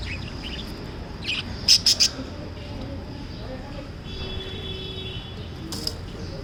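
Lovebirds give sharp, high chirps, a quick run of three, then a few scattered single notes over a steady low hum.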